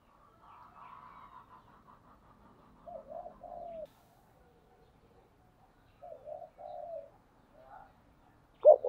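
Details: Morning calling of a decoy spotted dove. Soft, fairly distant paired coos repeat several times over a faint rustling, murmuring background, and a sharp knock sounds at the end.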